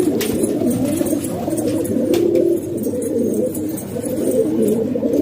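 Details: Pakistani pigeons kept at home coo in a low, burbling group chorus, one slightly clearer rolling coo standing out near the middle.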